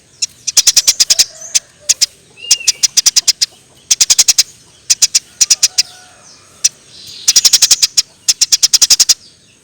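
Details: Eurasian tree sparrow, described as gacor (singing vigorously), used as masteran training material for songbirds: quick bursts of sharp, high, clicky chirps in fast runs of four to eight, separated by short pauses, with faint lower whistles between.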